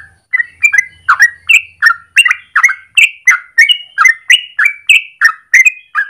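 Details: Yellow-vented bulbul singing its long rolling song in the morning, kept as a lure or master for training birds: rapid bubbling whistles, around three per second, rising and falling in pitch, with a faint low hum at the start.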